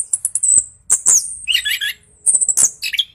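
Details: Orange-headed thrush singing as a lure to rouse reluctant birds: high thin whistles, a scratchy warbled phrase mid-way, then clipped chirps after a short pause.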